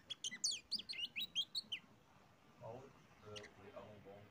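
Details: Kacer (oriental magpie-robin) singing as a lure for other birds: a quick run of about ten bright whistled notes, followed by quiet human speech.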